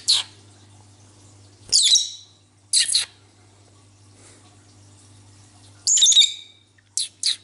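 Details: Pet cobalt-coloured lovebird chattering indoors with its owner: harsh, scratchy chirps in short bursts about one to three seconds apart, over a steady low electrical hum.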